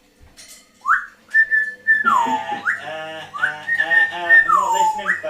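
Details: Indoor pet African grey parrot, a swearing mimic, runs through a string of whistles: rising swoops, held level tones and falling glides, several times over and mixed with rich voice-like mimicked sounds.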